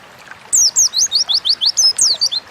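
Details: High-pitched Oriental white-eye song meant to trigger singing in other birds: a brisk sequence of about ten sharp, downward-sweeping whistled notes, evenly spaced and very clear above low hiss.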